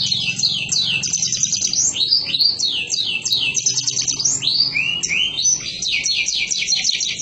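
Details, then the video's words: Canary singing continuously, a dense run of high trills and rising and falling whistled sweeps, fast and unbroken, with a faint low hum in the background. "اجمل تغريد للكناري"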